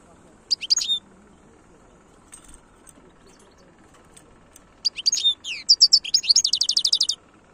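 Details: European goldfinch in khloui song: a brief twitter, several seconds of near silence, then a lively phrase of slurred whistles and a rapid string of high, evenly spaced chips.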